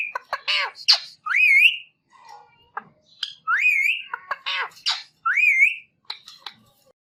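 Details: Indian ringneck parakeet producing three upward-sweeping whistled calls interspersed with rough squawks and clicks, plus a faint low murmur between bursts.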